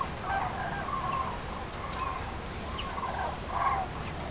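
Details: Common cranes heading north in prenuptial migration, central France, afternoon of 5 March 2016; scattered bugling calls from a flock, some with short upward inflections, spaced irregularly over constant background noise.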